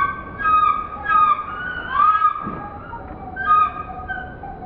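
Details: A black drongo gives four clear whistled notes with a nasal edge, some sliding up, spaced about a second apart, over a faint hiss.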